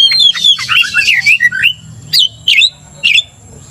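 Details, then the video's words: Oriental magpie-robin song meant to stir another magpie-robin to anger: a dense tumble of slurred whistles and harsh notes, then three separate sharp downslurred calls spaced about half a second apart. "cepat emosi Kacer dipancing kacer GACOR ini"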